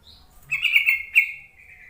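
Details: Yellow-vented bulbul call used as a lure so that sluggish, raw-stock bulbuls start calling; a single short burst of grating, chattering notes that trail off into a thin level tone, preceded by a brief higher chirp.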